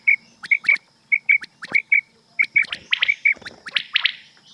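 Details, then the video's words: Rain quail night call from a hunting cassette: sharp, high double notes repeated in quick pairs, with a few bursts of harsher, rasping notes near the end. "rain quail sound"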